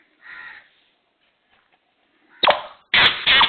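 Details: Black francolin: a soft hoarse note early, a pause, then three loud, rough, scratchy bursts close together at the end.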